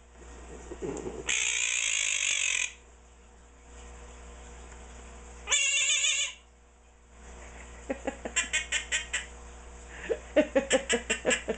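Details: A 16-year-old pet Quaker parrot calling nonstop: two long, harsh, rasping screeches, then bursts of quick, sharp, clicking chatter repeated several times a second, in a quiet room.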